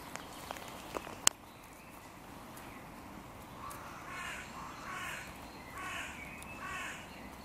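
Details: Crows disputing the shared territory borders of three breeding pairs at the park music pavilion in König-Albert-Park; after a few sharp knocks, four moderately distant hoarse caws follow about a second apart.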